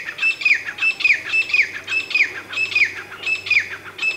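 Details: Grey francolin, known locally as teetar, giving loud ringing paired notes, a level whistle followed by a sharply falling note, repeated about every 0.7 seconds through the whole stretch, with harsh overtones and a quiet low hum behind.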